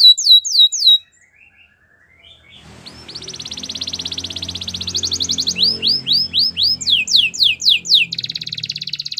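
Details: Training song of a white canary: a burst of quick falling sweeps, a pause, then a long buzzy trill building into rising whistles and repeated descending slurs, over a faint low rumble.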